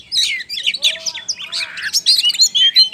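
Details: Oriental magpie-robin in full, insistent song in the busy 'ngobra' style, used as a lure to set other magpie-robins singing: dense, rapid whistled and chattering phrases, high and varied, with a few lower sliding whistles beneath.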